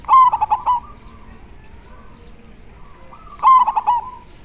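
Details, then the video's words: Local zebra dove (perkutut lokal), a lively and very clear singer: two loud bursts of quick stuttering coos, each a short rolling run of notes ending in a drawn-out tone, separated by about three seconds of quiet. "Perkutut lokal gacor sangat jernih bikin semua panik suara nya"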